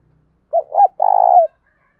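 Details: Spotted dove gives one coo phrase, used to stimulate newly caught captive doves: two brief notes, then a sustained throbbing coo ending in a slight downward slur. A faint low hum sounds just before.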